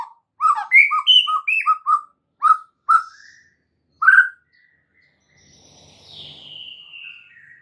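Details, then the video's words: Oriental magpie-robin (murai batu) master track for caged-bird training: a run of short, lower whistled notes and chirps, a few spaced single notes, then a thin descending high whistle. "MASTERAN mUrai batu GACOR"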